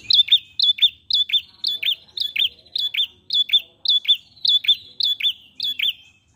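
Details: Lure recording of an ashy prinia singing steadily: about eleven crisp, high double notes, each a short chip followed by a curling slur, repeated roughly twice per second in an even, lilting rhythm, with a faint buzzy trill between notes.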